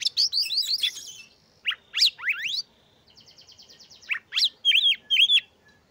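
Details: Energetic Oriental magpie-robin song meant to rouse rival magpie-robins into breeding condition and singing. Quick high slurred whistles open, then sweeping upslurs, a buzzy trill, and paired arched whistles near the end.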